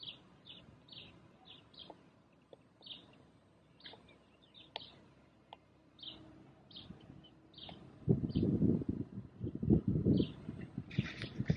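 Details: Crested lark at Illmitz, Lake Neusiedl, Austria, May 2019, gives short, high chirping calls about twice a second; after eight seconds loud low rumbling, like a passing vehicle or wind, drowns them out.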